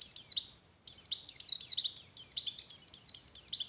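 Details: Pleci white-eye singing an 'oper birahi' arousal song used to bring other white-eyes into breeding condition: a brief trill, a pause of under half a second, then rapid high descending twittered notes tumbling on without stopping.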